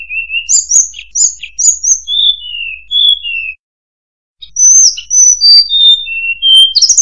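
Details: Murai buluh (tledekan) sings paired high chirps and mid-pitched whistles, pauses briefly, then gives a descending ladder of clear whistled notes.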